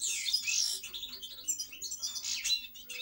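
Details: European goldfinch song: a rapid, continuous jumble of high twittering and tinkling notes with short buzzy trills, shifting pitch constantly and barely pausing, with a faint low steady hum underneath.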